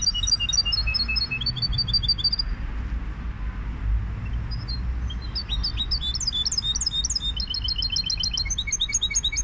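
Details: High, sparkling twitter from a goldfinch hybrid: a run of repeated ringing notes, a short pause, then a longer, denser burst of varied tinkling phrases and trills, with a constant low hum behind.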